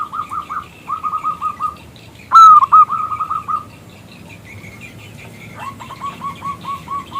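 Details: Loud-voiced local zebra dove calling to draw a male into singing: rapid runs of short, hooked coos, a sharp loud rising note opening a faster run, then another long evenly spaced series of coos.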